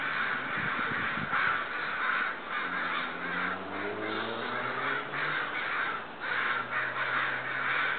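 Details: Upset-sounding neighbourhood crows produce sustained, loud cawing, a crowded mass of hoarse caws surging in uneven bursts, with a passing vehicle's humming tone rising and falling beneath them midway.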